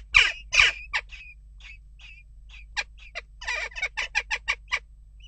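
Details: Harsh call notes from western jackdaws during unrest at a nest box: two loud calls open, a quieter scattered run of softer notes follows, then a fast chattering sequence of short calls.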